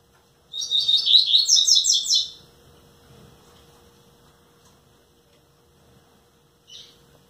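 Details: Rusty-collared seedeater kept in captivity, aged nine months and nearly ten, delivers a rapid, buzzy, high-pitched twittering phrase lasting under two seconds, followed by quiet and one short chirp; low electrical hum throughout.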